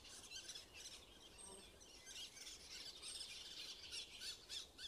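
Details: Nestling woodpeckers calling from their tree cavity in Blachownia on 23 May 2019: a continuous high, raspy buzzing that swells and fades in quick rhythmic pulses, over faint outdoor background.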